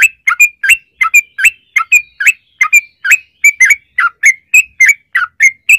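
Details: Yellow-vented bulbul singing a long 'ropel' song used as a lure for other bulbuls. Continuous clear chirps, each a quick drop and rise, come about three per second throughout.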